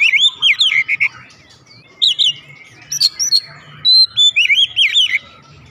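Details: Loud song of a kept oriental magpie-robin answering back: bursts of rich whistled phrases with warbling loops and sharp high notes, in short clusters separated by brief pauses.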